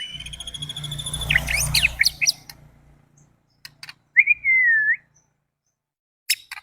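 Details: White-rumped shama song used as a lure to make other birds quickly agitated and singing: a burst of high chirps and sharp rising notes, then after a pause one long wavering whistle, over a low hum.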